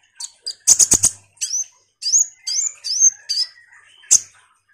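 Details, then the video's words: Common iora in energetic song used as a lure for kolibri ninja birds: a quick burst of loud sharp notes, then several rising, whistled slurs in a row, ending with one piercing chirp. "suara PANCINGAN KONIN GACOR NGOBRA"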